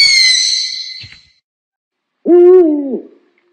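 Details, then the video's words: Owl giving one low, hollow hoot that holds steady and then sags at the end, preceded by a high, thin whistled tone that fades away. "เสียงนกฮูก นกฮูกร้อง นกเค้า นกเค้าแมว"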